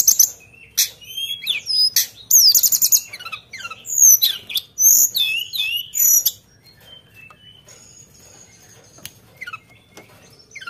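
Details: Sunda bush warbler in full lively song, firing sharp fill-in phrases: dense bursts of high whistles, trills and slurred notes for six seconds, then scattered single notes and a thin sustained whistle.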